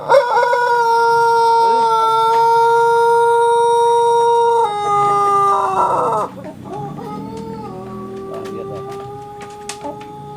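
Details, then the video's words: Pelung chicken cockerel from Sukabumi, Indonesia, crowing while sunning, sounding like a contest bird; a long steady harmonic tone breaks into a rough burst, then fades into a lower, quieter tone with faint clicks behind. "CACAKAN keur MOYAN tapi ciga anu keur KONTES/GACOR SUARANA"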